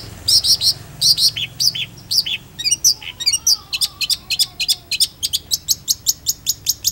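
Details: Long-tailed shrike singing in a chatty, nonstop gacor style, used as a tutor recording: bursts of high, sharp chips and short rising whistles, then a fast run of evenly spaced ticking notes.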